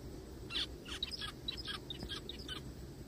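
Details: Zebra finch calling in the forest after being found crying: a lively burst of about a dozen short nasal, slightly squeaky notes in quick irregular succession.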